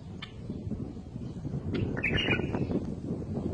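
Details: Bulbul song: a single short, warbling, chattering phrase about two seconds in, heard over loud low-pitched rumble and scattered clicks.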